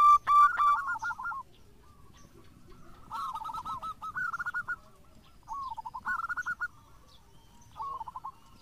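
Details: A local zebra dove in full song gives a loud close burst of rolling coos, then, after a quiet gap, more distant bubbling, trilled coo phrases that rise and fall and repeat.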